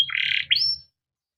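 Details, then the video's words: Kept canary song phrase meant to coax other canaries into singing: a dense buzzy burst of notes followed by a sharp rising whistle, then silence. "burung KENARI CUIT CUIT NGEROL untuk pancingan kenari biar gacor"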